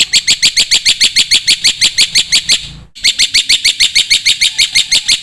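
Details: Black-winged myna singing hard in a masteran recording meant to train young cage birds: loud, sharp chirps repeated evenly about three per second, with a brief pause midway.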